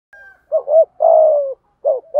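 A spotted dove gives soft, low, hollow coos in a broken phrase: short notes, then a long drawn-out coo, then more short notes. No other sounds.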